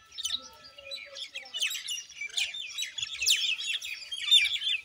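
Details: Common Indian myna uttering a mix of scratchy chatter and bright, sliding whistles, with louder squawky notes near the middle and a shrill whistle toward the end.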